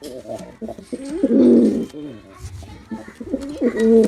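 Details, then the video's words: Male pigeon in a performance display, producing throaty, rolling coos that swell loudly, with a pause before another coo starts near the end; quiet room background. "Male Pigeon Super Performance || Male Pigeon Sound"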